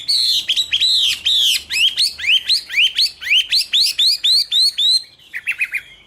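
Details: Song of a Chinese hwamei (Garrulax canorus), recorded 2016: about a dozen bright upslurred whistles in a fast steady series, roughly two per second, ending in a few lower, quicker notes.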